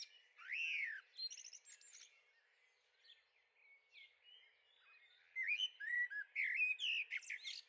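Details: Young common blackbirds in a garden on the Veluwe, Netherlands, 30 April 2014: a loud downslurred whistle, a burst of high chirps, then a quiet stretch before a run of short rising notes and twitters.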